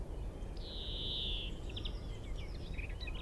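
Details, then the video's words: At Minsmere a male European greenfinch sings from a tree about 25 m off: one long buzzy wheeze of about a second, followed by scattered twittering chirps and short notes, with persistent low-pitched background rumble. "Greenfinch (Carduelis chloris) (M) - singing in tree"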